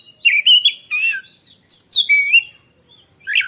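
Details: Oriental magpie-robin, an Indonesian contest songbird, in piercing song: warbled slurred whistles in two bursts, a rising and falling sweet whistle, then a short scratchy note after a pause.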